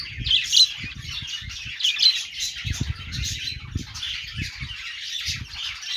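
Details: Budgerigar chirping: rapid, scratchy twittering and sharp squeaky notes in a continuous chattering warble, with a few soft low knocks in the background.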